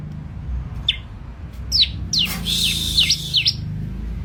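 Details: Bar-winged prinia (ciblek) giving a quick run of high, sharp chirps in the second half over steady low background hum. Isolated notes are scattered earlier.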